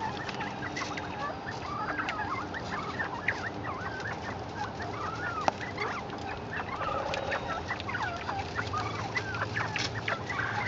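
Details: Captive northern bobwhite quail chattering when given chickweed: many soft, short chirps and slurred whistles overlap in a busy, continuous stream, with a steady low background hum.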